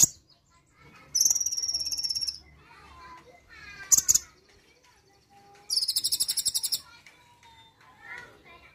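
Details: Brown-throated sunbird (konin) taking up the rapid 'nembak' song after one playback. Two buzzy high trills and a sharp chip stand out over faint human voices in the background.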